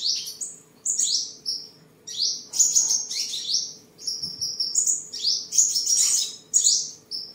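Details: During a bout of singing, dancing and sparring on 23 July 2022, a tame home-kept sunbird in Đồng Nai, Vietnam, delivers bright, high chattering phrases of sharp descending notes, one after another.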